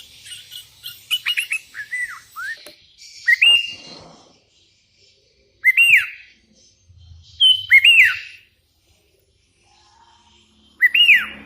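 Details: Sooty-headed bulbul calling rivals, with wild bulbuls answering: loud clear whistled phrases, each a short rise then a steep fall, repeated every two to three seconds, after an opening flurry of softer chirps.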